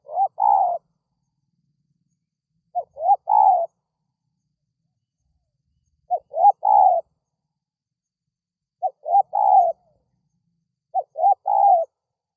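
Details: Spotted dove cooing to call in wild doves: five similar phrases repeated every two to three seconds, each of two or three short rising notes ending in a longer coo, in a quiet setting.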